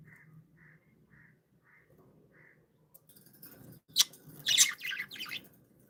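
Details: Playful pet budgerigars: soft evenly spaced tonal beeps first, then a burst of scratchy, buzzy chirps and warbles in the last two seconds.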